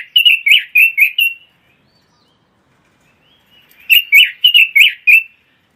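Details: Red-billed leiothrix (Pekin robin), a songbird imported from China, Taiwan and the Netherlands, kept for tutoring and competition practice: two short bright warbled phrases of about six quick slurred notes each, separated by a two-second silence.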